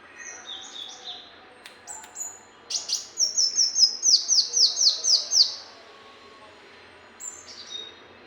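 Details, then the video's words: Brown-throated sunbird singing as tutoring material for birds: thin high chirps lead into a rapid, regular trill of about twelve bright notes over three seconds, followed by a few softer twittering phrases. "MASTERAN SUARA BURUNG KOLIBRI MUNCANG"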